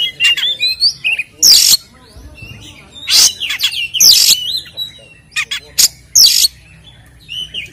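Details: White-rumped shama used as a provoking lure for caged birds, giving several loud harsh rasping bursts mixed with short whistled fragments and chirps, separated by brief quiet gaps.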